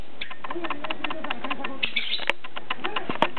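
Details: Two lovebirds, both PBFD positive, playing together indoors: a fast stream of short, sharp chirps and chatter at an uneven rhythm, with a brief higher squeal midway and a few knocking clicks.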